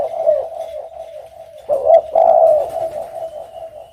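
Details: Continuous low cooing from spotted doves, a steady hum-like tone that swells into a loud, burry coo just before the second half, then settles back to a sustained drone.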